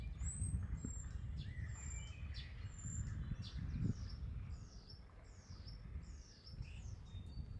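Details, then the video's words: Common starling singing in spring courtship: a run of thin, high descending whistled slurs repeated in quick succession, with scattered short chirps over a steady low rumble of wind and background noise. "Starling mating"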